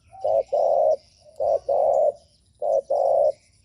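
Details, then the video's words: Spotted dove cooing, used to provoke other doves: three repeated phrases, each a short low coo followed by a longer steady coo, about one phrase every 1.2 seconds, clear with a quiet background. "Chim cu gáy gù mở lên kích bổi cực hay | Tiếng chim cu gáy mp4 kich bổi"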